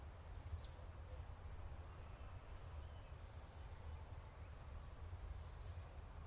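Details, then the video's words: Song of a golden-fronted leafbird: a high downslurred whistle, then after a pause a rapid rattling trill of high notes and another falling whistle, with constant low-pitched background hum. "Golden Fronted Leaf Bird, Jeordon leaf Bird"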